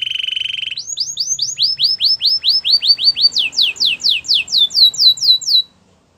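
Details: ['Belgian canary song opening with a buzzy low trill, followed by about twenty clear, downward-slurred whistles delivered in steady series that step up in pitch before stopping abruptly.']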